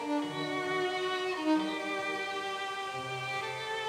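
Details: Sustained bowed violin notes with rich harmonics, purely instrumental music and no animal voices.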